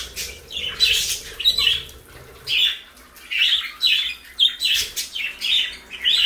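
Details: Parakeets eating lettuce give short, harsh chirps and squawks, roughly one or two a second, high-pitched and scratchy, over a faint low background hum.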